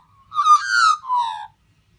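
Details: A friendly wild butcherbird sings in the morning at Byron Bay, Australia: a single rich, fluting phrase of just over a second that swells upward, then glides down to a lower mellow note, against a quiet background.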